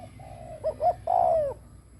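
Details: Spotted dove kept as a decoy, cooing to lure others: a soft low note, two short rising notes, then one extended hoarse coo sliding downward.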